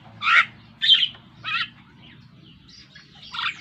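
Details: Pet Javan myna practising its chatty song delivers three rough, harsh squawks in quick succession, a pause with faint notes, then another grating call, over a steady low hum.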